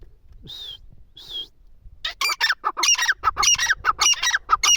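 A partridge gives two thin whistled notes, then breaks into a loud, harsh, rapidly repeated series of grating calls, several per second.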